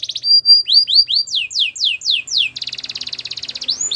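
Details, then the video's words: Belgian canary training song opening with a short trill and held whistle, then slow descending swoops about twice a second, ending in a fast pulsing rattle and an upward slur. "Warm up your belgian canary!! The best canary training"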